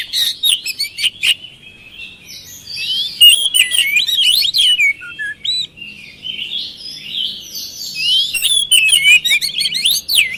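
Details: Oriental magpie-robin lure song used to get quiet birds to respond; rapid mix of clicks, chattering notes and looping whistled phrases, with a soft low hum in the background.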